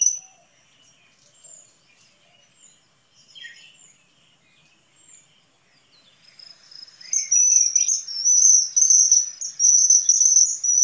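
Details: Common kingfisher: a few faint, thin high notes at first, then from about seven seconds a loud, shrill, high-pitched whistling trill that runs almost without a break, wavering slightly in pitch, with no other clear sounds.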